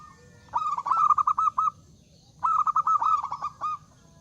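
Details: Loud zebra dove song meant to invite rivals to sing, two quick phrases of seven or eight clipped, bubbling coo notes separated by a short pause.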